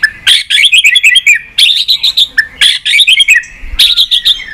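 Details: White-rumped shama song used to stimulate and train birds, in many voices: loud bursts of rapid, varied whistled and chattering notes, each burst about a second long, separated by short pauses.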